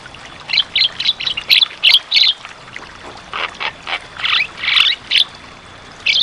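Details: Javan myna in full voice on a training recording for birds that stopped singing: two series of loud harsh squawking notes, each rapid and uneven, separated by a short pause.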